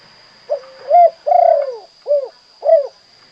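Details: One full phrase of spotted dove 'kuk 2' song, called derkuku or tekukur locally. It runs soft coo, upward note, extended buzzy descending coo, then two crisp 'kuk' notes, with a continuous high-pitched electronic tone in the background.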